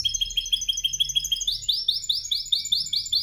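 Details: Canary in song training, delivering rapid high repeated syllables. A thin chirping roll gives way to louder, fuller rising notes, about one and a half per second, with a faint low rumble underneath.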